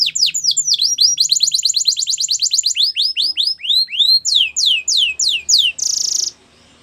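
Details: Yellow canary training song: fast runs of high downslurred whistles repeated about three per second, shifting to slower rising sweeps, and ending in a brief harsh buzzy burst.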